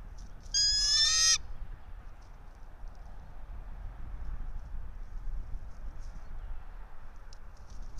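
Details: Bald eagle at its pine-top nest in Johnson City, Tennessee, dawn of 04.03.2024: one loud, harsh, chattering scream of under a second, followed by quiet with faint ticking and rustling.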